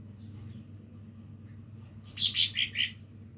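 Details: Young lesser green leafbird learning its song: soft high whistles first, then a burst of five loud, downward-sliding chirps in quick succession, with a constant low hum behind.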